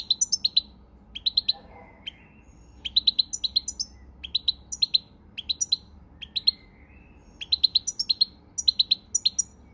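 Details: A European goldfinch sings on 20 March 2020, delivering fast groups of bright, tinkling chirps and thin trills, phrases repeating roughly every second with short breaks between.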